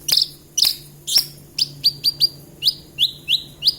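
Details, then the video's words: Javan bush lark giving loud, harsh buzzy bursts followed by a run of clear downslurred whistled notes, several per second. "Branjagan gacor"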